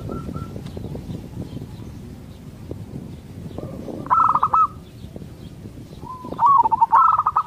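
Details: Local zebra dove song used to make other zebra doves answer: after several seconds of low rumbling noise, two rapid rolling cooing phrases, the later one longer and more jumbled.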